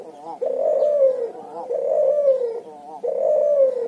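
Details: Cuhu, a hybrid of barbary dove and spotted dove, giving its ngoar nguku call. Three smooth, low coos run back to back, each rising slightly and then sagging, at about forty-eight per minute.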